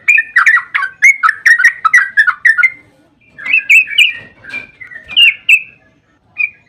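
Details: Yellow-vented bulbul singing its lively, long 'ropel' song meant to prompt other bulbuls to reply; a dense burst of warbled, gurgling notes, then a pause and two shorter phrases of slurred chirps.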